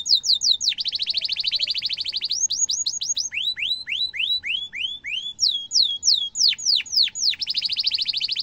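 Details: Canary singing a long 'cuit cuit' song with tight rolls, meant as a tutor for young canaries: fast series of high whistled notes sweeping down or up, alternating with rapid buzzy trills, repeated about three times per second.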